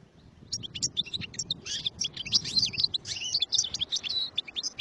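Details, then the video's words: A European goldfinch starts after a brief quiet moment, then pours out dense, high twittering with sharp chirps and fluttering trills until the end. "Chant du chardonneret"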